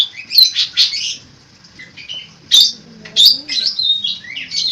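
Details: Long-tailed shrike giving bursts of high chattering and whistled mimicry separated by short quiet gaps, including sharp clicking notes.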